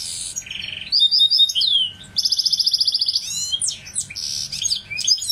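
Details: A goldfinch hybrid sings a lively medley: high buzzes, a low rolled trill, clear whistles, then a strongly pulsed rattle followed by scattered sweeping and chirping notes.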